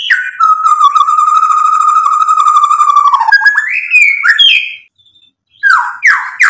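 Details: Singing white-rumped shama used as a lure recording to make rival birds respond: a sustained rattling trill on a steady pitch for about three seconds, then rising whistled phrases, a short pause, and more loud slurred notes.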